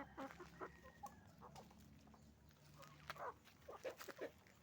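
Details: Roosters and hens on a chicken farm making noise: scattered short harmonic clucks and squawks from several birds, a few louder bursts toward the end, over a steady low mechanical hum and clattering background.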